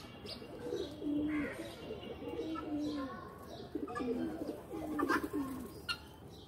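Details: Pigeons playing in a loft coo in low, throaty rolling phrases, several birds overlapping, with soft wing flutters and faint chirps in the background.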